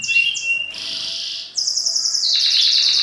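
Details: Male canary courting a female with song to induce mating posture; short high whistles give way to a buzzy roll, then a loud rapid high-pitched trill.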